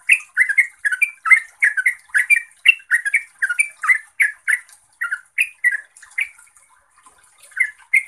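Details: Gacor trucuk song from a yellow-vented bulbul, to draw silent birds into answering: rapid liquid chuckles that thin out and pause briefly before resuming.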